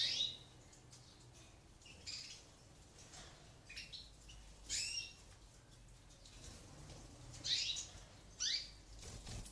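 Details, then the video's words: Aviary-bred European goldfinch chicks fed by their eumo-mutation mother; several sharp, high chirping begging bursts, some sweeping downward, arrive in irregular clusters over a soft steady hiss. "JILGUERA MUTADA CEBANDO A LOS POLLOS"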